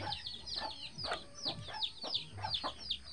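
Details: Free-range mama hen leading eleven chicks hatched in the bushes; loud high peeps slide steeply downward in quick succession, over low, muffled background rumble.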